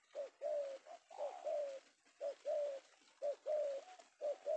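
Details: Indonesian male tekukur, or spotted dove, newly secured in the afternoon as a prized decoy bird. Gentle, low cooing phrases repeat almost every second, with a longer drawn coo early on and quiet surroundings.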